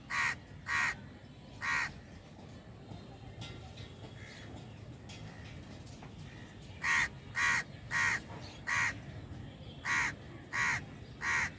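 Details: A crowd of crows calling: loud, harsh caws in short bursts. Two come at the start, one follows near two seconds, then after a quiet stretch a run of about eight evenly spaced caws lasts to the end over a low background hum.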